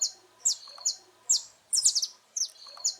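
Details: Saffron finch song of the kind used to train young birds: bright, high chirps and short buzzy trills in separate bursts about every half second, with sharp clipped notes and brief rattling runs between pauses.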